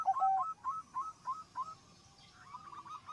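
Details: Zebra dove singing, its voice prompting other doves to call. Short bright coos with downward slurs repeat about every third of a second, then a softer wavering run of notes follows.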